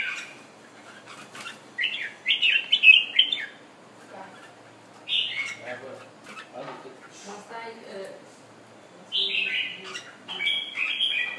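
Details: Thailand red-whiskered bulbul, a kept bird that has just finished moulting, singing short bursts of bright, warbled phrases with gaps of quiet between them; a few softer chirps fill the pauses.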